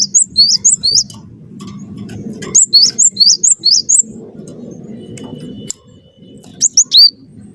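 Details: Wingko cinereous tit singing vigorously as a lure to make other birds sing: rapid trains of sharp, down-slurred high whistles, four to six per burst, separated by brief gaps, over soft low-pitched background noise.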